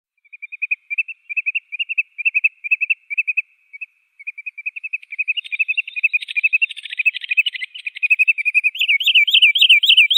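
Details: Wood sandpiper, Tringa glareola: a long run of short, high chipping notes, loosely spaced at first, then quickening into a dense, rolling trill that ends in loud, rapid, slurred whistles.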